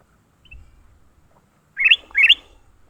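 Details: Caught leafbird during a fight gives a pair of loud, harsh, rising chirps in quick succession after a faint soft note and a quiet pause.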